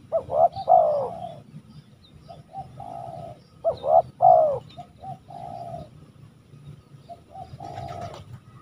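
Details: Cooing spotted dove, locally tekukur: paired husky coo notes followed by longer level purring coos, the pattern repeated about every four seconds over low background hum.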